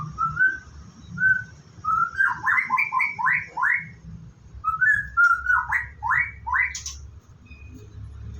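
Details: White-rumped shama at a bird farm during its morning routine before bathing: clear whistled phrases that start with short, smooth notes, then quicken into rapid, rolling, slurred whistles, in two similar bouts, over a low hum.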